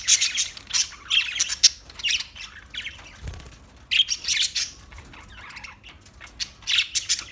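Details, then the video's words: Parakeet giving grouped bursts of sharp squawks and high chirps, with quieter stretches between the bursts and a low knock around three seconds. "Birds Parakeet Sounds Parrot Chirping Sounds"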